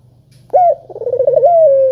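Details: Spotted dove lure call for doves slow to sing: after a low steady hum, a loud rising coo breaks into a quavering roll and a long level, gently falling note.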